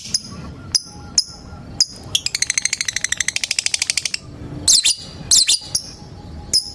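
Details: Lovebird calling a rival: scattered sharp clicks, then a rapid rattling trill of about twenty evenly spaced pulses lasting two seconds, followed by harsh screechy squawks and more single clicks.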